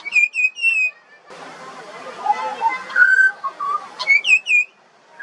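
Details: Song of a juvenile pied butcherbird from Australia: bright downslurred whistles at the start, a softer warbled middle with mid-pitched fluted notes, then more high falling whistles near the end.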